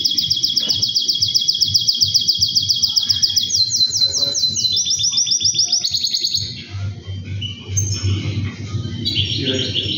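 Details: Two-year-old male canary singing in its cage as its owner comes near; high, rapid rolling trills that shift pitch every second or two, then fade into softer phrases over a low background hum.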